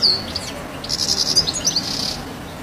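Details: European goldfinch perched on the roof of a house, giving bright, high tinkling call notes in a short run over steady background hiss.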